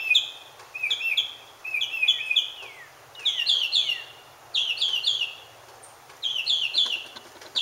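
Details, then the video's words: Mockingbird singing to attract a mate: bright, high, chirpy phrases of quick downslurred notes, each phrase repeated two or three times in bursts separated by short pauses, over a faint low hum. "Mockingbird Singing :ooking For Girlfrend !!"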